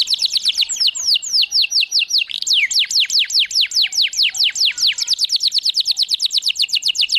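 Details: Canary singing, used to excite canaries and teach them song: long rolling series of sharply descending whistles, pace quickening into a rapid even trill in the second half.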